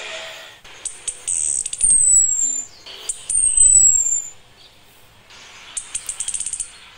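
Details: Female Orange-headed thrush in breeding condition calling the male: two thin, very high whistles slowly sliding downward, each under a second, then a quick series of dry ticking notes near the end.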